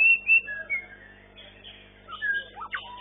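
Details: White-rumped shama singing in a bird-song competition, long-tail MB class, first-place winner of session 9: clear whistled notes, some long and gliding, some short and rising, with quiet gaps between phrases and a low steady hum behind.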